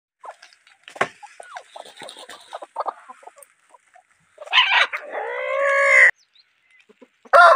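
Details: Desi rooster: scattered soft clucks and clicks, then a loud harmonic crow lasting over a second, held and slightly rising before it cuts off, followed by the start of another call.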